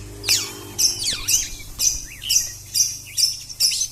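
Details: Oriental magpie-robin singing in the konslet style: sharp, squawky high notes with quick downward slurs, repeated about twice per second in an even, insistent run.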